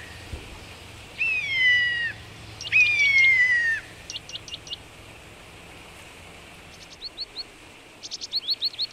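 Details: Marsh tit at wild boar remains in Belarus's Vitebsk region, on a frosty morning of 22 February 2013 at minus 18 degrees: two long, slurred, descending whistles, then short high notes and a quick run of sharp chips.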